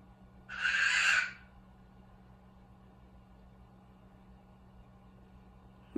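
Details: Pet male Goffin's cockatoo perched on top of a cabinet seeking attention, making new noises: one loud, harsh, raspy screech under a second, then quiet over a steady low indoor hum, faint click at end.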